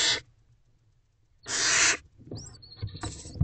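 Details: Barn owl owlets crowding their mother in a nest box at night: a short hiss, a long harsh rasping screech, then a rising wheezy call amid shuffling and soft knocks.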